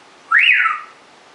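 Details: Rescued African grey parrot, sex uncertain (owner calls him he), out of cage indoors, gives one clear half-second whistle swooping up in pitch then gliding back down, against a quiet background.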